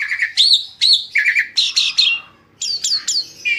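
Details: Asian pied starling, said to cleverly entice other birds to sing: quick groups of chirps and looping whistles, a short lull, then three sharp downslurred whistles and a final lower note.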